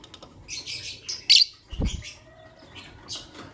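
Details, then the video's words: Green Personata lovebirds and albino lovebirds in the morning, giving sharp, harsh high chirps in short bursts, one louder squeak near the middle, with a low thump and faint background rustling. "The melodious chirping sound of Green Lovebird Personata & Albino Lovebird"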